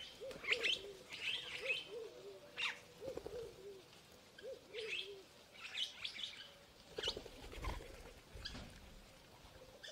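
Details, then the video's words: Purple starling singing and calling: bursts of harsh, scratchy high chirps alternate with low, bubbling, humped notes repeated in short runs, the phrases coming every second or so over a quiet background. "Purple starling (Lamprotornis purpureus) | sound | call | song"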